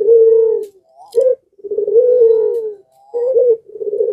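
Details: Zebra dove in breeding condition, with other doves prompted to call: overlapping long steady coos and short upswept notes, several birds calling together in a busy chorus.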